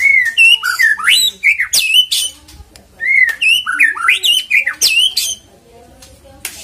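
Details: Lure song of white-rumped shama: the same whistled, swooping phrase sung twice, each ending in high sharp notes, then a quiet gap.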